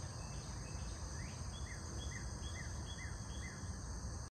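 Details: Hummingbird in the morning, giving short, sharp, downward-slurred chips repeated about twice a second over a steady, high insect drone.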